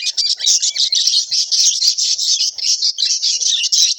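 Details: Budgerigars interacting: busy, unbroken high-pitched twittering and scratchy chirps, rapid and slightly buzzy, with small rises and falls throughout.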